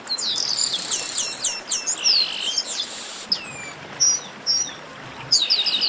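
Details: Chestnut-capped blackbird chorus: bright high whistled notes, down-slurred chirps and short rising trills overlap densely at first, then thin to sparse sharp whistles before another burst near the end.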